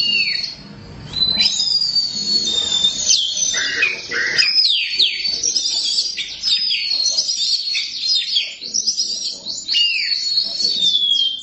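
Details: Caged Oriental magpie-robin (black kacer) singing at length and at full volume. Fast trills, clicking chatter and long sliding whistles follow one after another, with little background sound.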